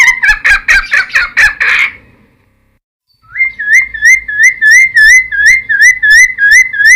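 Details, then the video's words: Cucak timor in full song, used as a lure and training song for wild-caught birds: a burst of harsh, buzzy chattering notes, a short pause, then a fast run of clear, rising whistled notes repeated over and over. "Cucak Timor Gacor Full Isian MP3 Untuk Pancingan Burung Bahan"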